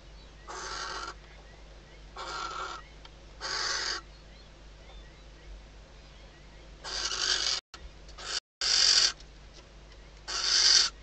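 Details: Female barn owl inside a nest box at Riet Vell Nature Reserve, Ebro Delta, at night, days before the first chick hatches, calling as the male arrives before mating. Six harsh, hissing screeches, each about half a second, growing louder later, with brief dropouts.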